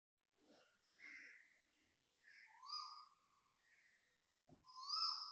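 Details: Koel gives short, loud, tonal whistled notes, some rising, in three bursts a second or so apart, at 7.02am on 26 January 2026 at Toa Payoh, Singapore; faint background hum.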